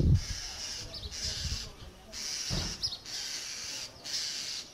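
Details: Near a common starling feeding its chicks, sustained high-pitched hissing comes in repeated stretches of about a second with short breaks between them. Low thumps and rumbling noise are heard throughout.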